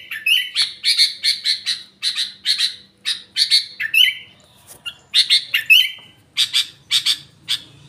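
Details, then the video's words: Sooty-headed bulbul with trocok-style song filling: clusters of sharp chirps and squawky notes in quick runs, broken by short pauses, with a few slurred whistles in between. "kutilang isian trocok"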